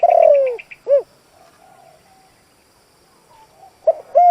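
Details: Spotted dove used as a caged decoy to lure wild doves. The end of one phrase, a long descending coo and a short note, then quiet before the next phrase starts. A faint rapid chirping trill at the start.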